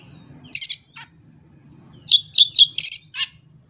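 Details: Oriental magpie-robin (kacer) delivering its repertoire with no tutor tapes and no rival. One bright chirp, then a quick run of four loud whistled chirps and a final dropping note over faint low hum.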